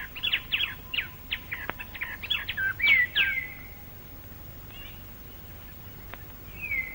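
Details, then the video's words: Plain babbler in Malaysian rainforest, recorded between the late 1950s and early 1960s, giving its forceful later-in-the-day song: a rapid run of sharp chattering notes mixed with whistled slurs for about three seconds, then a faint trailing whistle. "later in the day the plain babler goes over to a more forceful type of song interspersed with chattering notes [Music] [Music] o [Music] [Music] [Music] I d I"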